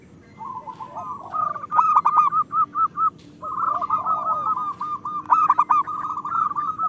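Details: Chorus of local zebra doves, played as a lure for birds slow to sing: long, nearly continuous rolling coo sequences, pulsing evenly, with a brief gap near the middle and overlapping birds.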